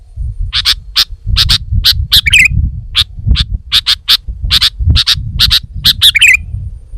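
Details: Sooty-headed bulbul, a female, used as a lure and master recording for songbird training: rapid run of short piercing chip notes, mostly doubled, with two short buzzy trills mixed in and a steady low rumble beneath.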